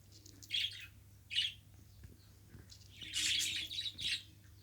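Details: A domestic budgerigar calls in a small room: two separate raspy chirps, then a longer run of busy warbled chatter near the end, with a faint constant hum in the background.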